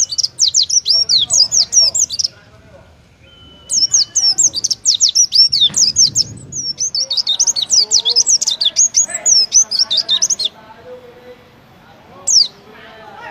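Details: Oriental white-eye, favoured in singing contests, delivers long bursts of rapid high twittering whistles, pausing between bouts, ending with a single sharp note; soft voices and low noise in the background.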